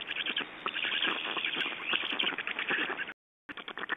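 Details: Black storks at a nest in Estonia during a feeding on 8 June 2012: dense, continuous scratchy chattering and rasping calls, with a brief break near the end.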